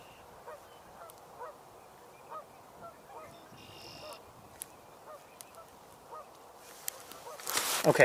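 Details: Northern Pintails vocalizing steadily on a wetland on 1 May 2021 give short, soft honking notes about every half second, with a brief higher tone, possibly green-winged teals in the background, and a loud rustling burst near the end.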